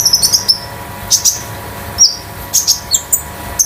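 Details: Captive konin sunbird kept at home as a master tutor bird, giving sharp high metallic chirps singly and in pairs, spaced about a second apart, some with quick downward slurs.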